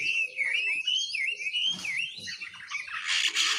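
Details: Oriental magpie-robin youngster learning ngiriwik singing: a long unbroken wavering whistle line that swoops up and down, briefly broken by a rustle, ending in a harsher scratchy burst.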